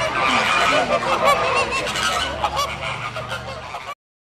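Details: Crested screamers in the Christmas season giving a dense chorus of harsh honking screeches, overlapping and continuous, ending abruptly into silence after about four seconds.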